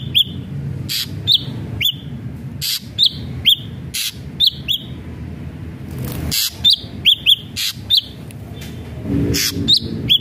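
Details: Ashy drongo singing as a lure for other ashy drongos: scattered short upswept whistles, single or paired, alternating with loud harsh broadband bursts over steady low background rumble.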